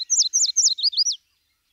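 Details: Yellow warbler song, the early-summer song sung in two phrases ("sweet sweet sweet" then "I'm so sweet"): a bright, rapid run of high, sweet slurred notes, about six in just over a second, ending with a quick rising flourish.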